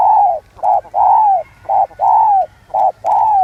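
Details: Mellow 'giọng son' cooing by a spotted dove, a quick short note followed by a drawn-out gently falling coo, repeated about three times, low hum underneath.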